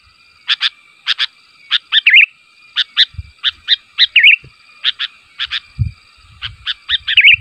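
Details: Sooty-headed bulbul giving a call to prompt replies from other bulbuls: paired bright chirps spaced about half a second apart, broken every few seconds by a short bubbling warble; faint low thumps in the background.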